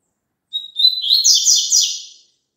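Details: Double-collared seedeater song for a caged bird to sing along with: a short high whistled lead-in, then a fast, sweet, buzzy warbling phrase of falling notes ending in a dropping trill.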